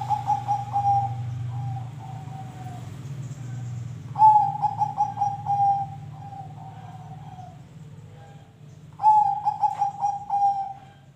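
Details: Zebra dove song for prompting other birds to sing: three phrases of rolling, staccato coos on a single mid pitch, roughly every five seconds, with a low humming background throughout.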